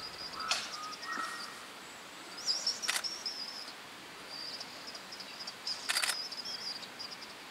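Masked bowerbird giving sharp clicking snaps and thin, high buzzy trills, with a few short whistled notes in between, over a soft background hiss.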